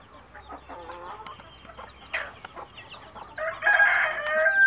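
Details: Native country hen with chicks, calling them to food: scattered soft clucks and thin descending chick peeps, then a loud, sustained, harmonic hen call at the end.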